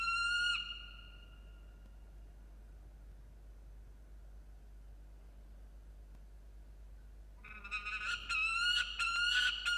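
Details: Peregrine falcon at a nest in Orange, New South Wales, on 26 June 2021, over food, picked up by a nest camera: a brief high harmonic wail opens, then a quiet stretch, then loud, rapid, repeated harsh calls fill the final two seconds.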